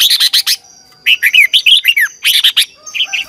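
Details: Red-whiskered bulbul singing to stimulate other birds, competition style with a twisting voice: dense, lively clusters of short bright whistled notes in quick succession, several rapid phrases packed together.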